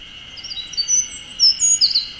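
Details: In Okuchichibu, Japan, a wren perched atop a dead tree delivers a fast burst of thin, high piercing notes, brief and tumbling, with a constant high-pitched buzzing drone behind.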